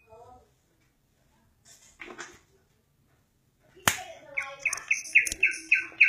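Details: Greater green leafbird singing: after a faint note and a loud sharp knock, a lively run of rapid, repeated whistled and buzzy notes, about three or four per second, rising in loudness.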